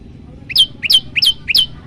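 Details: Prinia, known locally as prenjak lumut or ciang ciang, giving a loud 'tembakan' song variation used to train other birds: four sharp, bright chirps, each a short upward flick into a high ringing note, evenly spaced about every third of a second.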